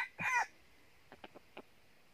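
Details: Red junglefowl at a trap site in northern Vietnam where a decoy bird lures wild birds: one short, loud, harsh crow burst, then four faint dry clicks spaced irregularly.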